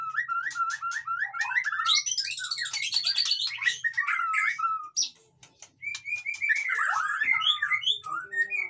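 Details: White-rumped shama song played to spur lazy caged birds into singing: rapid cascades of mixed whistles, buzzy high trills and chattering notes, a brief pause midway, then sweeping descending whistles and more quick varied phrases over a faint low hum.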